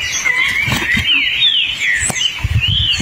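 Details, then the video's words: Forest song of a hepatic tanager, a smooth, continuous whistled line that wavers up and down without a break, with faint bird chirps and a soft low rumble behind it. "O belíssimo sanhaço fogo e seu canto na mata!"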